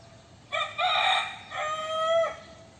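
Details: Young rooster crowing: one loud, rich crow with a short first note and a long, drawn-out ending, about two seconds long, over a quiet background.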